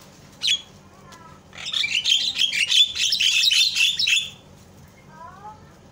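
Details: Javan myna calling as a lure for other mynas: one sharp note, then a continuous harsh grating chatter lasting nearly three seconds, followed by faint soft warbling notes and low hum.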